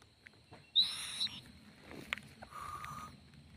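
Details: Owlet swaying, giving one short harsh screech with a thin whistled edge, then a brief click and a softer, steady tonal note, with low background murmur.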